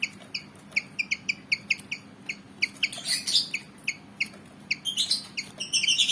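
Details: ['Malaysian pied fantail, agitated and ready to fight: evenly spaced sharp chirps, overlapped by harsh, noisy scratchy bursts toward the middle and end.']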